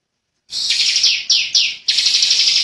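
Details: Young bar-winged prinia singing an insistent high rattling 'ngebren' phrase, punctuated by a few sharp downslurred notes before the dense buzzy trill resumes.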